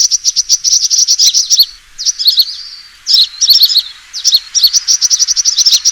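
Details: Sunbird fighting call used as a trapping lure: rapid, very high-pitched chirps and sharp tweets in fast bursts, broken by short pauses near two and three seconds.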